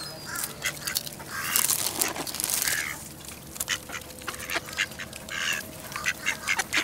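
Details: Ducks crowding in to be fed at the Newburgh waterfront, 23 November 2014, mild 55 F weather; rough nasal quacks in short bursts, louder in the first three seconds, then scattered clicks, splashes and flapping noises.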